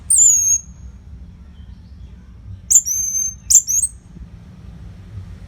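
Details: Orange-headed thrush (Geokichla citrina), in a tutor recording for training songbirds, gives three brief bursts of high, sharp whistled notes with quick slurred flourishes, separated by pauses over a low steady hum.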